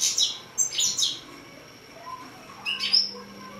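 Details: Hybrid finch, six months old, uttering scattered high chirps and short twittering notes in small clusters, with quiet stretches and a faint low hum.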